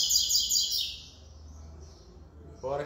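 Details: Double-collared seedeater just back from a tournament where it took third place sings a short burst of high, quick repeated notes. Quiet follows, then a brief lower sound at the end.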